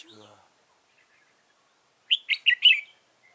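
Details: A trapped Red-whiskered bulbul, flicking its tail continuously, gives a brief bright phrase of four quick, warbled whistled notes, preceded by a moment of a man speaking.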